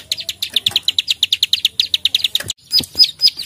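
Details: Plain prinia (prenjak sawah), a chatty fighter, delivering a rapid run of about twenty high clicking notes in two and a half seconds, then a brief pause and a few louder, slower clicks.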